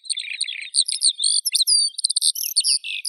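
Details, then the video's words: High, fluent song of a Eurasian skylark, opening with a soft buzzy rattle, then bright whistled slides, quick repeated chirps and a short trill near the end. "Skylark Birdsong"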